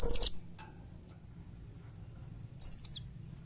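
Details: Blue-crowned hanging parrot calling to draw responses from its kind: a brief harsh squeal at the start and a steadier, thin, high whistle-like squeal about two and a half seconds later, with faint low hum behind.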